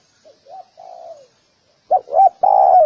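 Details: Spotted dove (lalok) calling: two soft, short coos, then a longer falling coo, a pause, and three loud, low, hollow coos ending in a drawn-out note. No other sounds.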